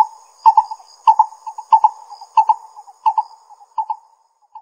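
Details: Lesser coucal in Pingtung County, Taiwan, on 22 May 2016, giving hollow, mellow hooting notes in quick pairs, roughly every two-thirds of a second, over a thin steady high insect drone.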